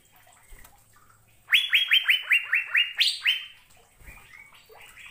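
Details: Asian fairy-bluebird on a recording used to train caged birds: after faint chirps, a rapid burst of about eight rising whistles, followed by softer scattered notes.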